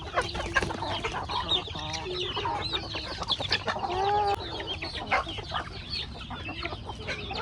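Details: Chickens in a backyard farmyard feed on corn, producing overlapping soft clucks and a few clearer tonal calls that rise and fall, amid constant scratching and pecking noise.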